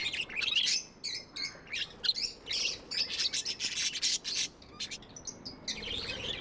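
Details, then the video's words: Budgies kept as pets giving continuous high warbling chatter, harsh buzzy chirps and quick clicking notes in uneven bursts, briefly quieter near five seconds before the chattering resumes. "Budgies amazing love & chirping sounds"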